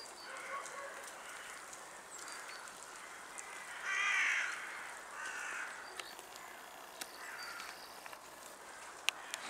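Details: A European green woodpecker (Picus viridis) in Tivoli Landscape Park, Ljubljana, on 23 January 2024 gives one loud, harsh, rasping call mid-clip, then a few fainter notes, over steady background hum and scattered clicks.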